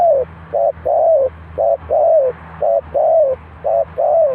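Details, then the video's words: Decoy spotted dove at a Ninh Thuận bird trap. It gives steady, evenly spaced coos, short and long notes alternating about once a second, all low and husky. A continuous low hum sits beneath them. "The Sound Of Dove,เสียงนกเขาใหญ่"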